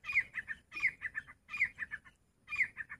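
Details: Teetar, the grey francolin, repeating its loud call phrase four times in quick succession, each a shrill upslurred note followed by three or four rapid, lower, clipped notes.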